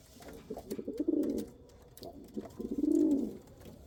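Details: Two swelling pigeon coos, each starting with soft stuttered notes that build into a loud, throaty rolling hum before fading.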